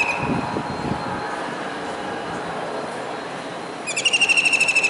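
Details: Kingfisher on a building's disc antenna in Surat, Gujarat, on a rainy July 2019 day. Low background noise and faint sounds lead into one sharp, high trill of rapid notes near the end.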